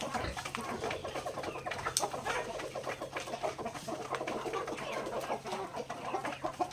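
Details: Flock of native chickens in a backyard eating grains at feeding time; continuous overlapping clucking and murmuring calls, a sharp tap near two seconds, low hum in the background.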